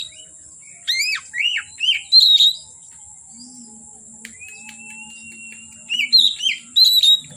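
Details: Oriental magpie-robin singing from afternoon until dark: clusters of loud curved whistles dipping and rising, a long thin level whistle in a pause, then more ringing phrases, with a low hum and steady high background tone.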